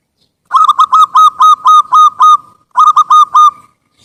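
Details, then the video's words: Local Indonesian zebra dove with a big voice, used as a lure to prompt caged or wild doves to sing: loud, hollow, ringing coos in quick bursts of about eight notes, a short pause, then four more, on a clean, quiet background. "Perkutut Lokal Gacor SUARA BESAR Pancingan Burung Perkutut Agar Cepat Bunyi | suara perkutut"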